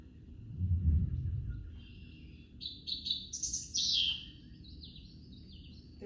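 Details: Dickcissel song from the Katy Prairie grasslands in Texas, where it sings all summer: a quick run of sharp, dry chirps ending in buzzy notes, said to sound like its name, played over a low room rumble.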